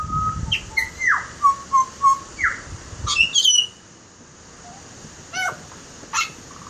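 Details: Butcherbird giving a varied song of clear whistled notes, some steady and some sweeping downward, in short spaced phrases, then a few sharp high chips after a pause; low rumbling background noise at the start.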